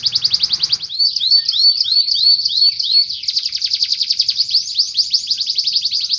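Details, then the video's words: Canary singing rapid high trills, then a run of evenly spaced arched whistles, followed by a long, dense, fast rolling trill; low hum at the very start only. "Kenari Mesin Tempur | Mewah | lagu rapat"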